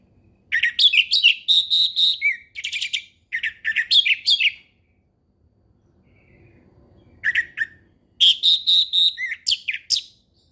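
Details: Orange-headed thrush delivering relaxed ngeplong-style song meant to teach young birds: rapid run of sharp whistled and chattering notes in several bursts, a pause of a few seconds, then another fast varied phrase, no other sounds.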